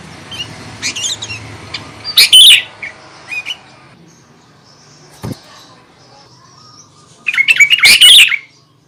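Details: Sooty-headed bulbul song used to provoke other bulbuls: scattered soft notes, a loud chattering phrase at two seconds, a lone click, then another loud burst near the end.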